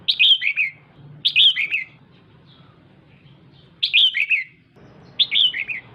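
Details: Female red-whiskered bulbul urging on the male, giving four loud phrases of sweet, descending warbled notes roughly once a second, with a brief quiet stretch in the middle.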